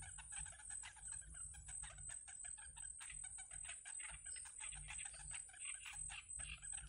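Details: Yellow bittern young in the nest, fed by the adult female, keep up a busy stream of short harsh clucks and chatters, with a persistent high whine and low hum beneath.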